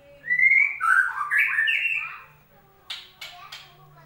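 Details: White-rumped shama singing as a lure for a bird gone quiet: a rising whistle flowing into a loud, tangled warbling phrase, then three short sharp clicks after a pause.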